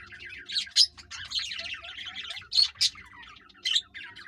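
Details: A green ringneck parakeet pair trying to mate, giving busy, high chattering chirps in rapid irregular bursts, with several louder sharp screeches standing out and a low hum underneath.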